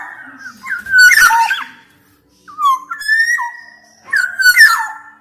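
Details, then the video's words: Black-naped oriole, a strong singer used to draw out silent orioles: three phrases about every two seconds, each with fluty slurred whistles and a harsh rasping burst. "Kicau Suara Kepodang Emas Gacor"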